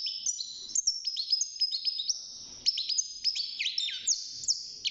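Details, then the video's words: Young European goldfinch kept in a cage, singing at six months of age; an unbroken stream of high, chattering twitters and sustained thin whistles with rapid slurred notes. "الحسون بعد مرور ستة شهور أصبح يغرد"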